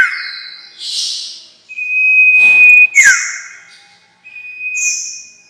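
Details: Lure recording of a sirtu (White-shouldered Triller) for trapping: breathy high notes, then a long flat whistle ending in a buzzy downward sweep, then another short hiss and whistle.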